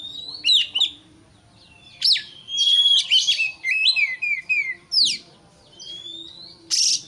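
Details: White-rumped shama provoking a rival in a cage-bird training recording. Fast whistled trills and descending note series blend with harsh buzzy bursts and a rising whistle near the end.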